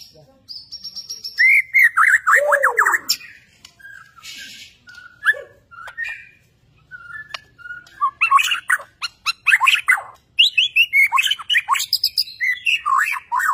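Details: Singing Borneo white-rumped shama: a high whistle, a cascade of falling slurred notes, scattered sharp chips, then bursts of rapid varied whistles and trills, loud and lively.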